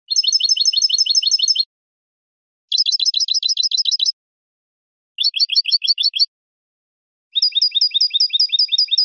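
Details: European goldfinch basic song phrases of the hammered "bibleos martilleados" type: rapid trains of high, metallic, stuttering notes repeated in bursts of one to two seconds separated by short silences, with layered overtones.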